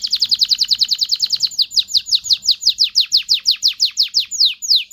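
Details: Canary singing to stimulate mating in males and females: a rapid trill of high descending notes that gradually slows into separate sweeping whistles, about two per second by the end.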